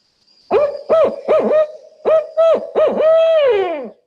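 A Barred Owl gives about seven deep, rhythmic hoots in a 'who cooks for you, who cooks for y'all' pattern, the last one long and sliding downward.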